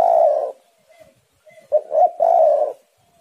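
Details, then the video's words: Spotted dove, tekukur, cooing: one long mellow coo, faint soft notes, then two quick hoots leading into a long rolling coo. "tekukur super gacor saling memanas"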